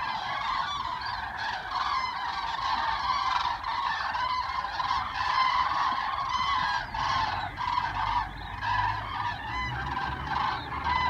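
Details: Large groups of migrating cranes passing over Osnabrück, Germany, heading south in early November, give loud, rolling trumpeted calls that overlap continuously in a dense chorus, with a faint low rumble beneath.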